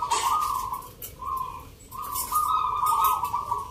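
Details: Zebra dove song at a Yogyakarta contest for local birds in the Nglagu Ngepat Mentaraman style, 19 November: long, even, purring coos in three phrases, the last swelling and running on without a break over faint crowd murmur.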